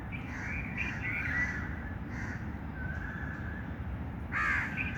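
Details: Many birds chirp and call over one another with mid-pitched, drawn-out notes, ending in a loud harsh call. A low steady rumble lies beneath.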